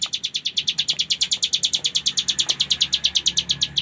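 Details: A ciblek gunung delivers ngebren song: quick, evenly spaced piercing notes strung into a continuous trill, slightly varying in loudness, against quiet low rumble.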